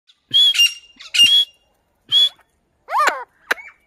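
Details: Grey francolin, described as a female, giving harsh, raspy squawks with a thin whistled ring, four or five loud bursts over a few seconds, ending in a quick wavering note.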